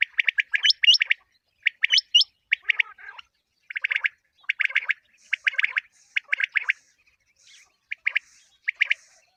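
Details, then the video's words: Common quail calling, a recording for quail hunting in the morning: clean rhythmic groups of three crisp pulsed notes repeated about every second, a few high hooked whistles at the start. "Batair ki awaz | common quail calling"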